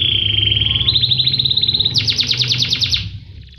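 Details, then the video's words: Canary song used as tutor material for training other birds: a steady high buzzy trill that steps up in pitch, then a fast series of sharper repeated notes, fading out after about three seconds over a low hum. "Masteran Kenari Gacor l Tepat Untuk Panclng Bunyi"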